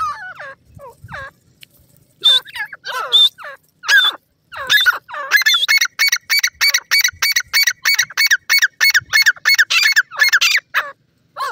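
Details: Female francolin (teetar) in the wild, calling while chicks clash nearby: a loud, rapid run of harsh, ringing notes repeated in quick regular bursts, starting with a few scattered descending notes and building into a steady rhythmic series.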